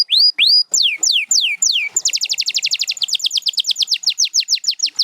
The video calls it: Singing Canary